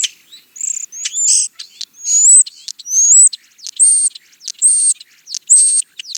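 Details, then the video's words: European starling song of varied squeaky notes: thin rising slurred whistles, clicks and high sustained whistled tones repeated several times in quick succession. "European Starling - Songs"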